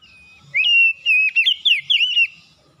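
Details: Morning lure song of an oriental magpie-robin: a sustained clear whistle that breaks into a rapid run of warbled, twisting notes.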